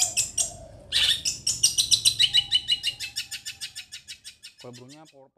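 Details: Long-tailed shrike from Situbondo: harsh high chirps build into a fast, evenly pulsed trill that gradually fades, followed at the end by a few lower, nasal, wavering notes.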